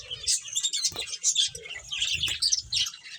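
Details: Several finches chirping while playing: a dense, overlapping chatter of high, thin tweets and short trills, with soft low thumps underneath.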